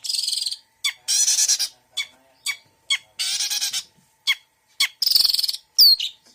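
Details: Long-tailed shrike giving a full mixed fill-in song, alternating rasping, scratchy bursts with sharp single clicks and a high downward-sweeping whistle near the end.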